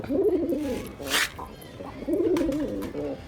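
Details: Male pigeon cooing to attract a female: two low, rolling, throaty coo phrases, each about a second long, separated by a sharp click-like noise and a brief pause, in a quiet setting.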